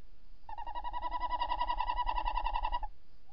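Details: Tawny owl at the nest box entrance, 28 December 2018 at about 05:43, mate calling outdoors; a close, resonant trill of rapid regular pulses, roughly three and a half each second, held for over two seconds.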